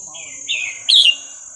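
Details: Red-whiskered bulbul, Burmese song style used for training young birds: a brief phrase of a smooth slurred whistle followed by a loud sharp chirped flourish, with a constant thin high whine behind it.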